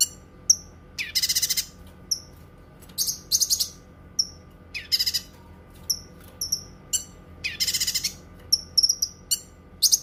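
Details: Cucak kinoi song for bird training and relaxation, lively and varied: high whistled slurs and crisp chirps broken by repeated harsh pulsing rattles, phrases coming every second or so, with a low hum underneath.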